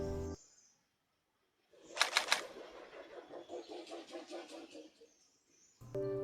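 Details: A Rufous-necked hornbill flies by at Latpanchar village, West Bengal, India, with a rapid run of loud, whooshing wingbeats, about four per second, fading away. Brief music plays before and after.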